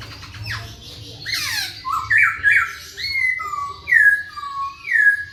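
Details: Masked laughingthrush song for provoking silent birds to sing: a rough squawk, then clear down-slurred whistles repeated at roughly one-second intervals, alternating higher and lower notes, over a faint low hum.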